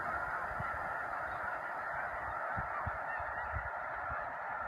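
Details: Snow geese (Anser caerulescens) on migration at Choteau, Montana, March 18–19, 2015: a dense flock chorus of many nasal, yelping honks overlapping into a steady roar, with occasional low thumps beneath.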